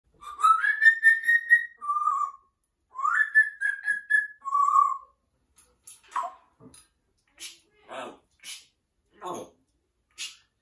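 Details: Pet African grey parrot, a male kept indoors, singing opera-style: long wavering whistled notes rising and holding, then sliding tones, followed by short spoken-sounding syllables.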